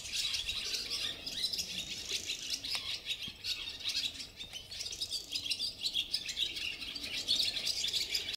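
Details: Barn swallow (Hirundo rustica), song.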